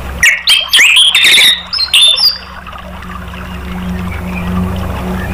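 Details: Orange-headed thrush song used as a therapy and prompting call to get other caged birds to respond and sing: loud varied whistled and chattering phrases for two seconds, then steady engine-like hum and background rumble.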